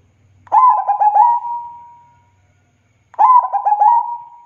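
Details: Two song phrases from a local zebra dove, perkutut: quick rippling series of four coo notes stretching into a long steady whistle-like tone, with a faint low rattle early on.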